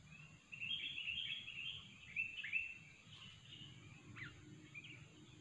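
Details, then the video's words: Sooty-headed bulbul recorded for use as a trapping lure: a run of bright chirping and warbled notes in a broken stream, with a few sharp separate chips near the end over low background rumble. "kutilang super ganas dan gacor"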